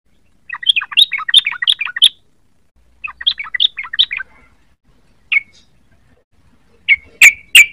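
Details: Sooty-headed bulbul, a young bird learning to sing: quick chattering warbled phrases of many notes, a pause, then a few loud sharp single chirps.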